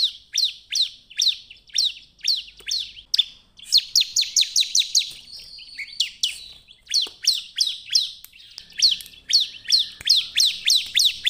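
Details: Bar-winged prinia, used as a lure song to get other prinias singing, gives a fast run of sharp, high, descending chirps, several per second in bursts, with brief pauses between phrases.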